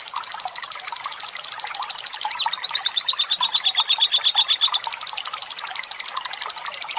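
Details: Fighter lovebird giving a long ngekek trill, played to encourage other lovebirds to sing, with trickling water: quick repeated high notes building in loudness, a sustained level whistled run in the middle.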